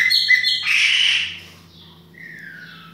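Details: Chopi blackbird of the baianinho type, indoors in a kitchen, gives a harsh, noisy burst, then after a pause a single clear whistled note slurring downward, over a steady low hum.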